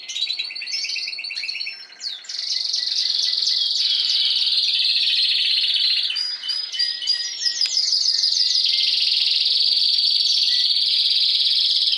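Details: Spanish timbrado canary, a consanguineous bird from last season, kept indoors with this season's young learning to sing: a long metallic rolling trill held steadily around high pitch, preceded by quick repeated chips and brief choppy notes.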